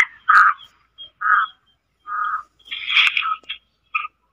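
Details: Calls of a female black francolin, known locally as kali madi or Sindhi teetar, meant to stir males into calling: a few separate harsh, nasal notes spaced roughly one second apart, then a louder rasping burst and two short notes.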